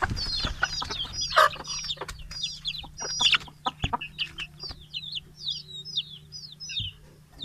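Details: A flock of large and small chickens, let out of the coop and fed in the morning, 6 October 2018, Fulbaria, Mymensingh; dense high peeps and clucking mix at first, then thinner descending peeps continue alone.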